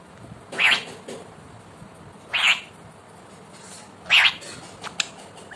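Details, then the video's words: Indian ringneck parakeet kept as a talking pet, uttering three loud rasping squawks roughly every one and a half to two seconds, followed by a couple of soft clicks. "Talking cute Parrot"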